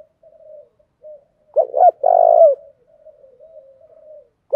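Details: Spotted dove urging coo for luring wild doves: faint low notes, then two sharp short notes and a long rolling coo, more soft murmurs, and the first note of the next phrase.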